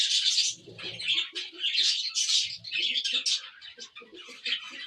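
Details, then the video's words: Cockatiels chattering continuously with rapid, harsh, high chirps that overlap without a break, while faint low murmuring sounds underneath. "Very Cute Parrots Cocktail"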